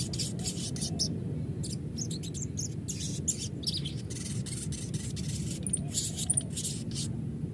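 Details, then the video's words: Sogon recording played as a lure so another bird sings and responds: quick, high, bright chirps in short irregular bursts throughout, over a steady low-pitched hum. "pancingan sogon bahan agar rajin bunyi dan ngalas,sogon bahan auto nyaut"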